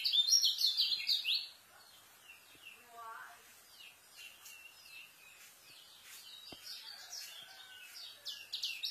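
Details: White-eye singing a fast, dense song used as tutor material for newly kept birds: a loud burst of rapid high twittering chirps for the first second and a half, then quieter scattered chirps with a faint low trill.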